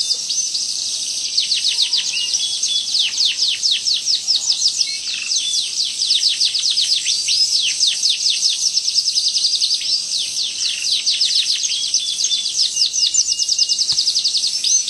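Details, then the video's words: Canary in full song, delivering a long, sharp rolling performance: rapid high trills and repeated down-slurred notes pour out without a break over a steady high hiss. "KENARI GACOR NGEROLL TAJAM"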